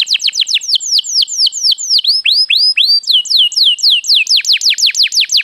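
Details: Canary song played to lure and stimulate other birds into singing: fast runs of downward-sweeping whistled notes, shifting into slower rising and falling slurred whistles, then quickening trills again.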